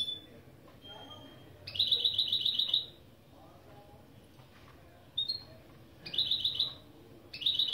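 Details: Goldfinch × canary hybrid mule song lesson: brief high, rapid repeated-note trills delivered in separate bursts of about one second, with quiet gaps and soft background hum between them.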